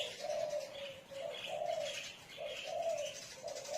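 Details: Rhythmic cooing of a spotted dove: paired low notes, a short coo then a longer swelling one, repeated in a steady cycle, with faint higher chirps in the background.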